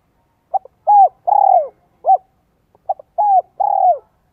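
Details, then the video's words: Decoy spotted dove with a 'giọng son 1 cốt lỡ' voice, meant to draw in wild doves. Soft mid-pitched coos come in two phrases: a brief clipped note, then a fuller coo and a long, slightly buzzy falling coo. No other sounds. "CHIM CU GÁY GIỌNG SON 1 CỐT LỠ KÍCH BỔI"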